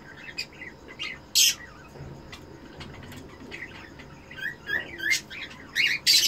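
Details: Eno cockatiel breeder pair, kept for breeding, calling during mating: loud, harsh chirps and short squawky whistles come in irregular bursts, several close together near the end, with quieter chirps between.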